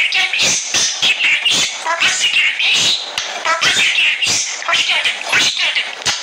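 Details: A pet budgerigar (Melopsittacus undulatus) talks in Turkish, chattering a rapid, high, raspy stream of mimicked speech mixed with warbles and clicks.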